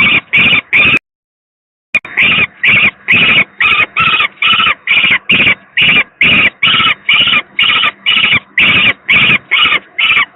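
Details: Peregrine falcon nestling, the second young bird, in poor condition at the PGE plant in Gdynia, Poland, on 18 May 2023, streamed online: grating screech notes repeated about twice a second, briefly cut by a one-second dropout, then resuming steadily over low hum.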